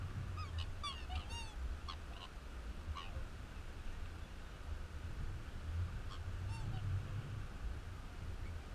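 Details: Black swans at Yerrabi Pond, Gungahlin, Canberra, give a handful of short, bugling, slightly wavering notes in two bursts over a steady low rumble of wind or distant traffic.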